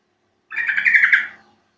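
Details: Lure call of a yellow-vented bulbul for getting birds to answer: a single bubbling, chattering phrase of quick pulsed notes lasting about a second, then silence.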